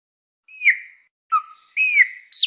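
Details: A Chopi blackbird singing out in nature gives loud, clear whistles: four quick phrases of slurred, falling notes, one low note, and a final rising-falling whistle, with no other sounds.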